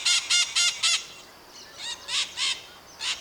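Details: Maritacas, Brazilian parrots calling in a flock: four strident, even-spaced screeches, then a lull and three or four more harsh nasal squawks at a slightly uneven pace.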